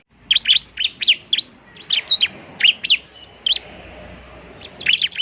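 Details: High, sharp chirps from a bar-winged prinia in fighting song, meant to lure birds and push lazy prinias to sing, delivered as spaced single notes and pairs, with a pause before a final burst.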